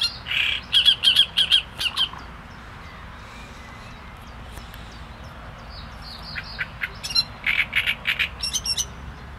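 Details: Great reed warbler in song, opening with a quick series of coarse, creaky notes, falling quiet for several seconds, then resuming with harsh, rattling phrases and thin higher notes.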